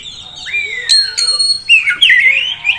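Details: Kacer, an Oriental magpie-robin, young prospect bird: long clear whistled note gliding downward, then sharp rising and falling whistles with brief harsher accents.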